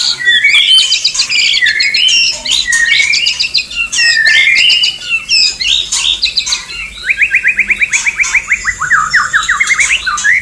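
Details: A male white-rumped shama courting a female: a fast, loud, continuous run of varied whistles and chirps, ending in a long trill of rapidly repeated rising notes.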